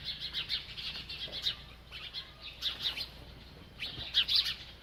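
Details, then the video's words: While eating, a bird gives thin, high chirps in short groups, with a louder, sharper burst of notes near the end. "This Happy Bird Won’t Stop Eating and Chirping"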